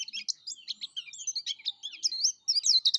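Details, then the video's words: Rapid, high warbling chatter from a yellow-breasted white-eye in vigorous song: slurred, wavering notes tumbling over one another in quick bursts, with a clean, quiet background. "suara kicau plece dada kuning gacor"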